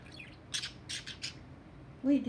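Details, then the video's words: Pet budgie that talks constantly, even in its sleep, gives a few quick, high, scratchy chattering bursts, then a person's voice cuts in at the end. "Talking budgie"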